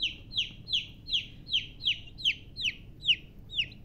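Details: Chicks (baby chickens) chirping: loud, clear descending peeps, each sliding down sharply, repeated steadily about every 0.4 seconds, roughly ten calls in a row over a quiet background.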